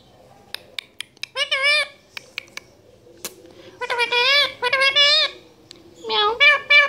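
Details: Pet parrot talking in Urdu/Hindi indoors in a small room: a few sharp clicks, then nasal, harmonic speech-like phrases in three bursts, the longest near the end, with rising and falling inflections.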